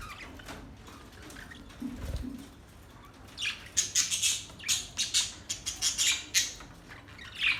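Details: Budgies chattering: after a quiet start with a faint low thump, a run of sharp, high chirps and warbled twitters repeats roughly every half second, growing busier toward the end.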